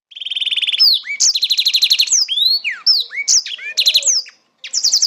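A Black-throated Canary sings a fast, varied run of high trills, buzzy rattles and sweeping whistled slurs, each phrase switching abruptly to the next.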